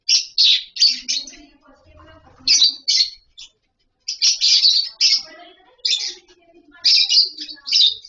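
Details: Several lovebirds in a colony setup while eating and playing; harsh, high squeaky chirps repeated in quick bursts, with softer lower twittering and a brief low thump between calls.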